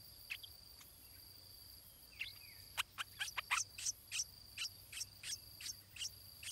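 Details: Nestling stripe-throated bulbul calling while its parents feed it: a quickening run of bright, clipped chirps, several per second, with a brief thin whistle before them and constant high insect hum behind.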